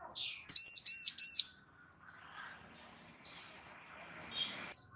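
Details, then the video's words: A calling female bar-winged prinia, trying to prompt a male's reply, gives a quick burst of three loud, ringing high notes, then near silence with faint soft chirps. "Ciblek BETINA GACOR Memanggil Ciblek JANTAN Agar NYAUT GACOR"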